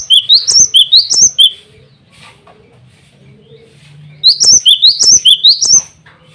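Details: Cinereous tit male singing hard to call rivals and summon females, used as a lure; two loud bursts of about six quick, high, rising whistled notes each, separated by roughly three seconds of quiet with faint soft chirps.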